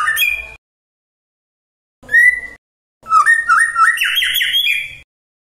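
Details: Magpie-robin song used to provoke rival magpie-robins; short whistled bursts, then a long rich phrase of rapid warbled notes climbing steadily higher, with slight background rumble.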